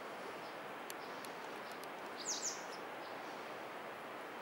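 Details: White wagtail (Motacilla alba) at Parshuram Kund, Arunachal Pradesh, India, giving a quick, high two-note 'chizzick', each note sliding downward, over a steady hiss of wind and rustling leaves.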